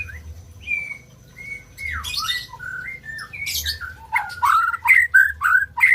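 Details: A white-rumped shama opens with clear sustained whistles, then speeds into a burst of quick, sweeping notes and harsh scratchy squeaks.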